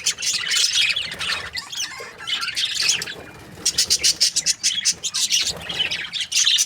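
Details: Budgerigars in breeding pairs keep up a continuous, busy high-pitched chatter of scratchy chirps and short squawks, swelling and fading, with a rapid stuttering series in the middle.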